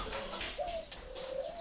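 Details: Adult Spotted Doves, parents of chicks, kept in a large steel breeding cage with many nest baskets at Ba Vì, Vietnam. Low, soft tonal coos are held as steady, slightly rising notes. Room noise and faint rustling sound behind them.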